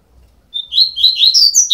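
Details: Double-collared seedeater chicks at 12 days old: one thin note, then an insistent, accelerating string of high, squeaky chirps.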